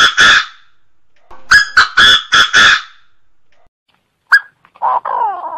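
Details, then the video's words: A francolin in Cambodia gives loud, harsh, grating notes in a quick burst of four, with an opening note before and a lower, drawn-out rasp after. "Francolin Calling"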